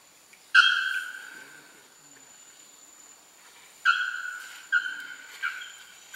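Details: Young male Bare-throated Bellbird singing at Porto Seguro, Bahia, north-east Brazil, in November 2012: loud, ringing metallic notes with strong overtones, one early then three more spaced under a second apart, each fading slowly.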